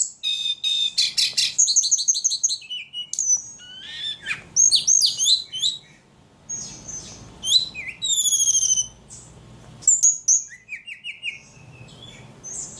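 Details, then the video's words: Ledekan bird delivering a busy song of fast ticking trills, sharp whistled notes and downslurred chirps at an irregular rhythm, with short pauses between phrases. "Burung ledekan paling gacor"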